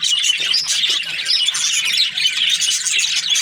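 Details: Breeding pairs of budgerigars give a thick wall of shrill chirps and scratchy warbles, many voices overlapping without a break, with a faint low hum underneath.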